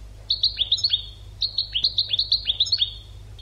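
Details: European goldfinch educational song used to train birds: two rapid runs of crisp, high, descending chirps, each a rolling twitter of about seven notes, separated by a brief pause, with a low hum in the background.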